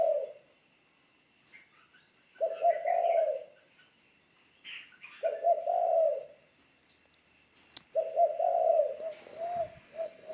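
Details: New decoy spotted dove in training calling repeatedly: four low, rolling coo phrases roughly every three seconds, the last one drawn out, with other birds chirping faintly and a thin high hum throughout.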